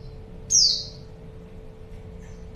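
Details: Female white-eye, kept to lure a male: one high, thin, falling slurred note with a quick start and fading tail, then the start of another at the end, over a soft hum.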